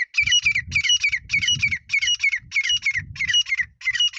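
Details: Wild grey francolin (jungali desi teetar) call for partridge hunting in Sindh, Pakistan: grouped rasping notes with rising whistled endings, repeated in bursts about every half second, over a low rumbling background noise.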